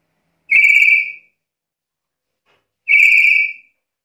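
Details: Black-capped lory giving two loud whistled notes, each steady and level with a brief fall at the end, about two seconds apart with silence between them.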